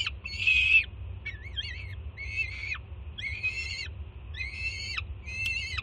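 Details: Juvenile peregrine falcon at a Jersey City nest camera screaming loudly in excitement as its mother arrives with breakfast, June 24, 2017; harsh, harmonic-rich screams, a few with wavering pitch, each dropping sharply at the end, with low background hum.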